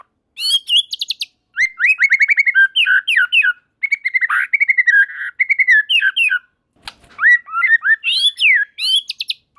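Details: White-rumped shama song answered by other shamas, bursts of rapid repeated high notes and rich warbled whistles in phrases of one to two seconds with short gaps.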